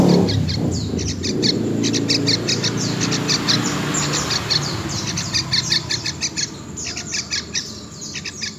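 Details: Young wild yellow-vented bulbul giving quick, high, thin chirps in loose clusters, about two or three a second. A steady low rumble and background noise run underneath.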